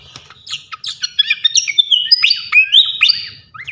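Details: Flycatcher in full song for tutoring other birds: quick varied phrases of high whistles, sharp slurred chips and bright rising-falling notes, delivered in a busy, continuous stream.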